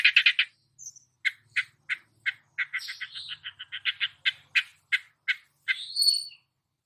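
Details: Quieter passage from a long-tailed shrike copying other songbirds: varied clipped notes, some buzzy, some thin whistles, in an irregular sequence ending with a high rising whistle.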